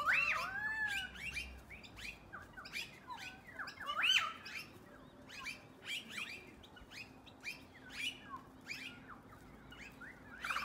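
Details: A flock of noisy miners chattering before dark: repeated loud arched whistled notes, then a long stretch of scratchy overlapping chirps and squawks from many birds, with a faint low hum behind.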